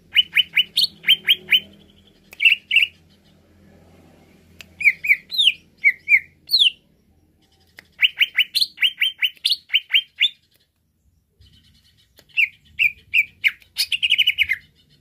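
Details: A greater green leafbird (Chloropsis sonnerati), being stimulated to excitement, sings loud bursts of rapid, sharp chirps mixed with slurred rising whistles, separated by short pauses, over a faint low hum.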